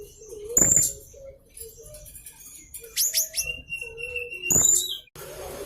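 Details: Young blue-crowned hanging parrot, used to prompt other birds to sing, giving short piercing high shrill notes in three separate bursts, with softer lower whistles from other birds between them.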